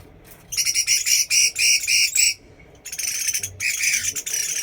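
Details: Chinese hwamei singing: two loud bursts of rapid, harsh, harmonic notes repeated several times a second, broken by a short pause, with faint thin high whistles in the background.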